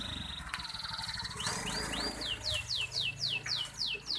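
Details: Canary from a breeding pair being matched for mating once their chicks feed themselves. About ten clear descending whistled notes repeat rapidly in a steady series over low background noise.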